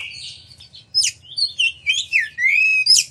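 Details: Oriental magpie-robin in loud, energetic song meant to provoke other magpie-robins into singing; sweeping whistles and slurred downward notes interspersed with sharp high bursts, over a low background hum.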